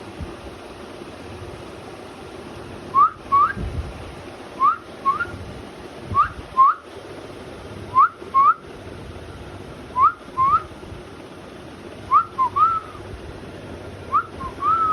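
A cockatiel gives clear, rising two-note whistles, repeated in pairs about every two seconds.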